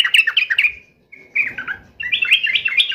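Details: Chatty Yellow-vented bulbul mocking an opponent: a quick bubbling phrase, a short pause, a thin held note, then more tumbling, slightly buzzy warbles.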